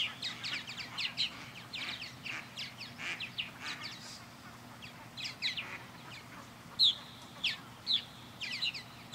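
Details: Several purple martins orbit a birdhouse in a backyard and give dense, overlapping chirps and twittering notes, then a few clearer single chirps toward the end over a soft low hum.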